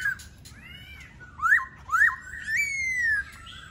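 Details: Laughingthrush singing loud, clear whistles: two quick up-and-down swoops, then a long note that slides up and slowly falls. Soft background hum throughout.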